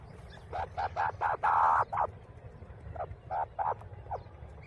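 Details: Grey francolin chicks fighting: a burst of about a dozen harsh, nasal notes, quickening and growing louder toward a long strident note in the middle, then a short pause and a few more spaced calls, over low rumbling background noise.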